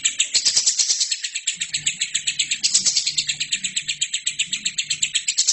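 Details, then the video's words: Prolific gacor lovebird, recorded to train other birds: a dense, shrill stream of rapid chattering pulses, steady and unbroken, with a few sharp ticks at the start and end. "LOVERBIRD GACOR!!!"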